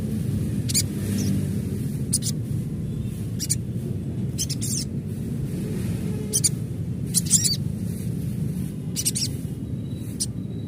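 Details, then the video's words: Natural recording of an adult crimson sunbird: short, high-pitched sharp chirps repeated irregularly every second or two over a steady low-frequency hum. "Panggilan SOGON Dewasa Asli"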